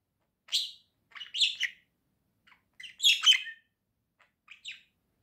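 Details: Two pet budgerigars chatter together in short scratchy bursts, quick squeaky warbles and chirps in clusters about a second apart, with brief quiet gaps between.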